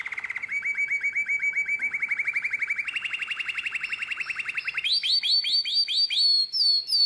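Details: A nightingale-voiced canary recorded in 2017 sings rapid, rolling trills of about four notes a second, moving up through mid-pitched tours before ending in higher, sharper warbled phrases.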